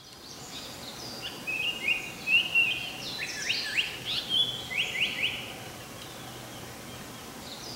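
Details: A Japanese paradise flycatcher's territorial breeding-season song in spring: a series of high, buzzy, slurred phrases ending in quick repeated notes, over a soft hiss of background noise.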